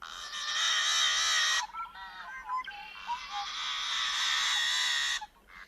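A Yellow-headed Blackbird gives two long, harsh, grating buzzes, each over a second long, with a few short clucking notes between them.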